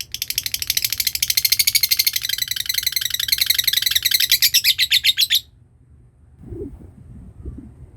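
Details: Lovebird ngekek, a long trill played as a lure to teach birds to trill: a dense, buzzy, very fast chatter of high notes running about five seconds, then cutting off to near silence with faint low thumps.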